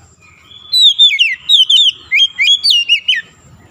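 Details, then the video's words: Oriental magpie-robin (kacer) song as a fast trigger for a stressed bird that stopped singing: energetic whistled phrase of about nine notes, alternating falling glides and short rising chirps, over quiet background. "PANCINGAN SANGAT CEPAT MEMULIHKAN KACER SETRES MACET BUNYI LANGSUNG GACOR"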